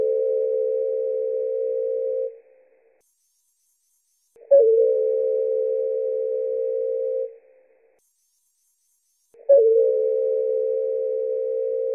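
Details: A steady, mid-pitched electronic-sounding tone lasts about two and a half seconds, repeats every five seconds with silence between, and has no recognisable animal voice.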